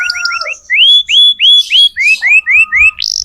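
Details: Canary song played to tutor young canaries: a run of rising whistled slurs repeated about four times a second, with a faint steady tone beneath and a short buzzy burst at the end.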